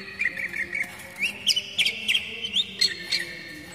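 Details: Oriental magpie-robin (kacer daput) basic song, played to lure young speckled wild birds and to coax moulting birds into singing: rapid clear whistled notes, some rising and some falling, about three per second with short pauses, over a faint low hum.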